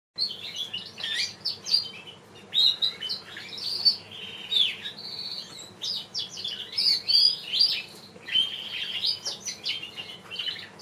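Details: Variegated buff Border canary cock, a champion bird, singing a rich run of warbled, trilled and whistled phrases, bright and high, in continuous bursts with brief pauses across the whole stretch.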